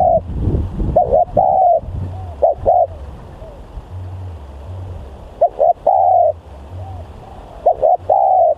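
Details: Spotted dove (tekukur) decoy bird, said to be fierce and very vocal; short stuttering double coos followed by drawn-out mellow notes, repeated several times against low mechanical hum and a muffled thump at the start.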